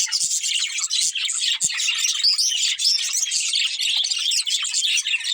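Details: Budgerigar breeding pair chirping: a dense, continuous stream of high twittering and warbled chirps with brief dips in loudness, no pauses.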